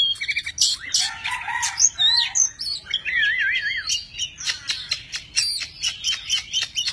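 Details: Tame Oriental magpie-robin singing in many voices while dancing, spreading its wings and fanning its tail: a fast medley of clear whistles, twisting warbles and harsh scratchy notes, ending in a run of sharp repeated clicks.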